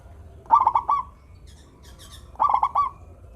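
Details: Sweet-voiced local zebra dove repeats a rapid, clipped cooing phrase of four notes twice, about two seconds apart; faint higher chirps sound in the pause.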